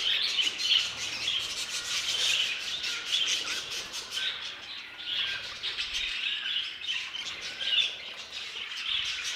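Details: Caged in an aviary, budgerigars produce a steady wash of high, chattering warbles and squeaky chirps, with many birds calling at once.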